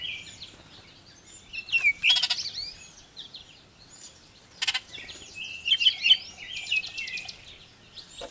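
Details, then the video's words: Baltimore orioles feeding on and fighting over grape jelly give harsh, chattering calls mixed with clear whistled notes in bursts, with other birds chirping around. "Baltimore oriole feed on and fight for grape jelly"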